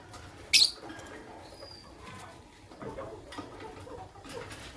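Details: Fischer's lovebirds, a white albino and a pastel green, in the morning: one sharp, high, harsh chirp early on, then quiet room noise with faint rustling.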